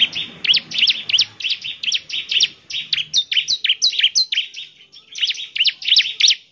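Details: ['Continuous gacor song of a bar-winged prinia, aimed at getting other prinias to reply: about three crisp, high chirps per second, steady throughout, with quieter notes in between.']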